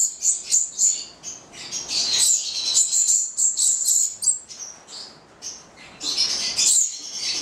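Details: Nine-month-old captive goliathina Stella's lorikeets, an Italian pair, giving rapid high chirps and squeals in quick irregular series with a short lull midway.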